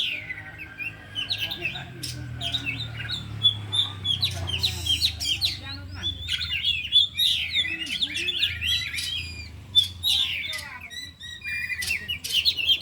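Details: Afternoon training of four caged oriental magpie-robins, all singing and unloading mimicked material: a dense, continuous stream of varied whistles, chirps and quick trills, many notes per second, over a faint low murmur.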